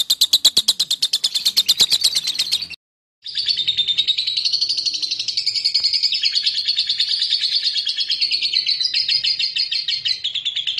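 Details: Lovebird ngekek used to goad rivals into answering: rapid high chirping, a brief silence, then a long continuous buzzy trill that rises and falls slightly, carrying on without a break.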